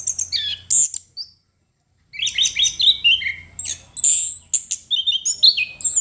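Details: Anis kembang, the chestnut-capped thrush, singing energetically: bright chirps and sliding whistles, a short pause near two seconds, then dense downslurred warbling phrases mixed with sharp high notes.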